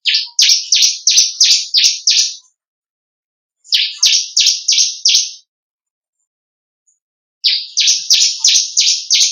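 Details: Song variation of the ciblek kristal, or bar-winged prinia, for training songbirds: rapid trains of about seven buzzy, rasping notes, each burst lasting around two seconds, separated by clear pauses.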